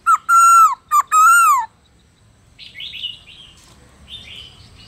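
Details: Black-throated laughingthrush forest-style song, used to spur other captive birds to sing: four loud, clear whistled notes, the longest slurring down at the end, followed by softer, higher chattering phrases.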